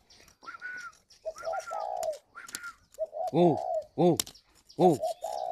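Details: Spotted doves at a breeding aviary in Ba Vì, Hanoi, Vietnam, with 'gáy gọi' calling coos. Low double-note-and-croo phrases mix with a higher answering coo and loud arching, harmonic calls from another source.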